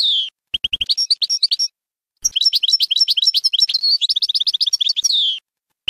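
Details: European goldfinch singing, a recording for teaching young birds: rapid liquid twitters and high tinkling notes in long fast runs, a brief pause, then a sustained chattering phrase ending in a falling whistle.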